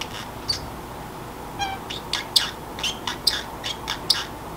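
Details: Pet Pacific parrotlet chattering to itself as sleep approaches, in a quiet room: a short buzzy trill, then a string of sharp clicky chirps and squeaks roughly every third of a second.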